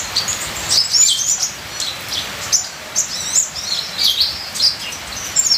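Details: Ninja sunbird singing a full, varied training song: thin, high twitters and chirps in quick bursts, with short descending slurs, over a steady hiss of falling rain.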